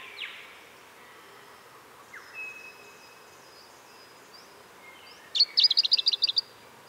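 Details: Australian pink robin song: faint thin whistles and a quick downslurred note at first, then a bright, high, rapid trill of about nine clipped notes near the end, lasting about a second.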